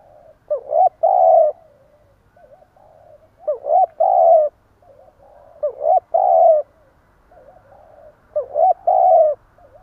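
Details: Four stuttering 'gù cà lăm' phrases from a spotted dove used as a decoy to provoke: clipped double notes and a held low coo, about every two and a half seconds, with gentle wavering coos in between.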